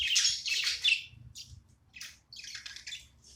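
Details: Short burst from a pet budgerigar at play: loud raspy chatter at first, then a few separate high chirps after a brief pause.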